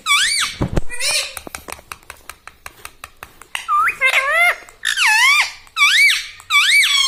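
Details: Pet parrot repeating a nasal two-note word, likely the familiar 'mami', over and over with rising-falling pitch, alternating with a run of sharp tapping clicks.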